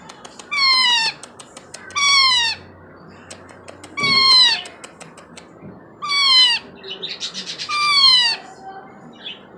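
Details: Attention-seeking cries from a young Indian ringneck about four months old, kept indoors. Five loud, falling, harmonic squawks are spaced roughly two seconds apart, with faint clicks in between.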